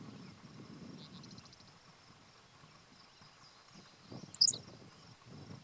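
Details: A Henslow's sparrow sings unseen from the ground at State Game Lands 100 in Pennsylvania, 1 June 2015. A single brief, high, clipped 'tsi-lick' burst comes late, with soft low background rumble and a thin continuous insect tone.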